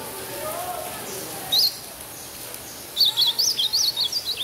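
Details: Captive chestnut-bellied seedeater chick copying the song of a blue-black grosbeak: one high whistle, then after a gap a rapid string of about nine high, up-and-down whistled notes that dip lower toward the end.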